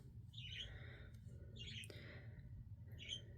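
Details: A male pet parakeet indoors chatters loudly while his owner talks: three bursts of scratchy, warbling chatter, high and rapid, about a second apart, over a steady low hum of room noise.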